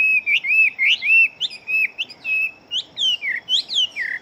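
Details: Loud, quick song of a big fighting Chinese hwamei, a string of ringing whistled slurs, some rising, others dropping steeply, following each other about twice per second.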